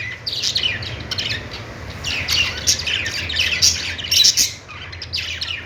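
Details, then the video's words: Continuous budgerigar twittering, grating squawks mixed with higher chirps, swelling and fading in waves every second or so. "Budgies singing |budgies sounds"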